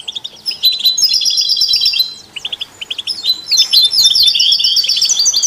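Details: Goldfinch, canary and mule-bird singing meant to stimulate other songbirds: fast, bright twittering broken into buzzy trilled runs and sharp chips, with a brief lull before a dense high burst.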